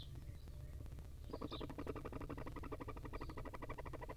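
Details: Wild barn owl nestlings while the female feeds them: after a quiet start, a dense rasping chatter of quick pulses begins and continues steadily, with a few thin high squeaks above and steady low hum.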